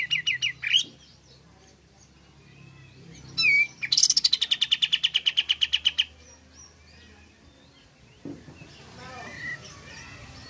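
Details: Pied fantail song meant to lure other pied fantails into singing: opening short chips, a falling slurred note, then a fast regular train of high pulses lasting about two seconds, followed by quieter scattered notes.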